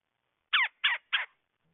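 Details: Three loud, rough churring calls from a red-bellied woodpecker, evenly spaced about a third of a second apart, each a short burst with a slightly descending sweep.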